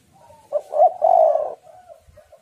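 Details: Female spotted dove cooing to attract males: a brief soft lead-in, then stuttered notes and a drawn-out, throaty rolling coo that fades into faint murmurs.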